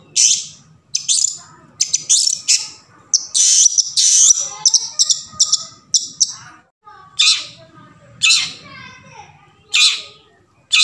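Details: Long-tailed shrike in its forest habitat, recorded to coax quiet shrikes into song: a rapid run of rasping scolding notes, then slower single harsh screeches every second or so, with faint chirping of other birds behind.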